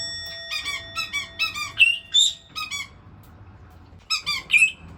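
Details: Pet white-bellied caique indoors, excited by a running washing machine and busy checking the water, gives bright, harsh squeaky squawks in quick bursts, with louder rising shrieks between, over a steady machine hum.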